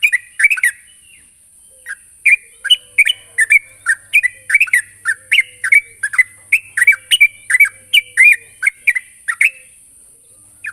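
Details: Sooty-headed bulbul calling a rival: bright, short bubbly whistled notes, each dropping then lifting, given in quick loose bursts after a brief opening pause, with a steady high hiss in the background.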